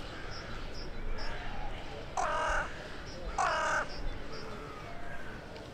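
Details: Crow living in a town centre, calling in the evening of 23 January 2021 to others flying in for the night; two harsh, harmonic caws about a second apart over steady town background rumble and faint high chirps.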